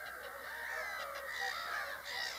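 Whooper swans give overlapping nasal, trumpeting honks from several birds at once, over a steady hiss of background noise.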